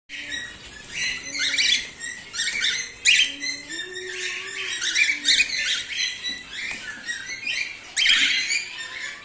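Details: Emerald male cockatiel carrying silver, over 1.5 years old, chattering in dense bursts of scratchy, squeaky calls that overlap almost without pause, over a faint low hum.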